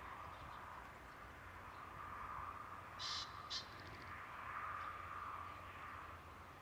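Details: Common pheasant (Phasianus colchicus) crowing at Ljubljansko barje, Slovenia, 16 April 2023: two quick, harsh, ringing notes about half a second apart, over a steady background hiss.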